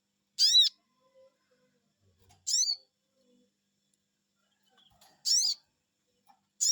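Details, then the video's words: Sogon bird responding to a lure call with four separate bursts of shrill, arched, squeaky 'cuiit' notes spaced roughly two seconds apart in an otherwise quiet setting. "Cuiit cuiit,,pancingan burung sogon bikin resfon,,,langsung nyaut"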